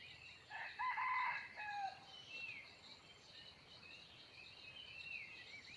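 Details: ['On 17 March 2020 a wild junglefowl rooster answers near a decoy hen with a single crow, a harsh rising burst and a drawn-out falling tail, followed by faint distant calls amid a steady insect whine.']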